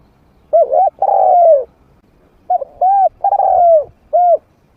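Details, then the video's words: Trained decoy spotted dove with a medium-pitched voice, played to lure wild doves into fighting. Two cooing phrases, each a short double coo and then a long, drawn-out coo that falls in pitch, followed by a short coo. The background is quiet. "เสียงนกฝึก นกเขาใหญ่เสียงกลาง เปิดต่อนกป่ากล้าเข้าสู้ไม่ตื่น"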